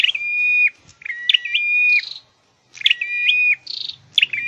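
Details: Caged scarlet-headed flowerpecker in singing training, giving long bright whistles that step down in pitch, each opened by sharp high notes, in two paired bursts separated by a brief pause.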